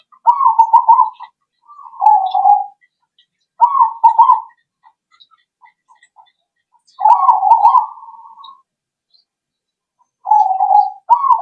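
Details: Zebra dove calling, used to lure birds into answering: a series of rolling, trilled coo phrases, some ending in a lower steady note, spaced a few seconds apart.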